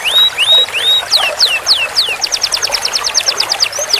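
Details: Master canary song for teaching long rolls: three rising whistled slurs, a few loud downward sweeps, then a rapid string of short descending notes and a final arching whistle.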